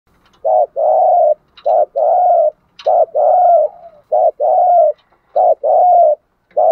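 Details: Spotted dove used as a decoy, calling to lure wild doves, in the insistent cooing style. Low, mellow coos alternate between a short note and a longer drawn-out one, repeated about once a second, with a faint high tick now and then.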